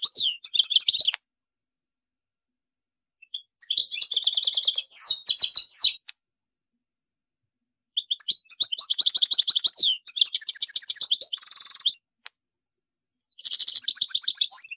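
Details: Goldfinch singing in several separate bursts: fast jangling twitters mixed with buzzy trills and rapid repeated notes, broken by pauses of one to two seconds; a harsh nasal buzz appears in the longest passage.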